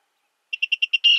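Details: Virginia rail calling: five short, evenly spaced, hard notes in quick succession, followed by a longer, rasping, drawn-out note. No other sounds.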